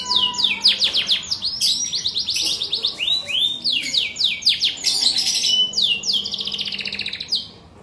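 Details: Champion canary song: long chains of quick falling whistles and rapid rattling trills, each motif repeated several times before changing, ending in a fading buzzy trill and quiet.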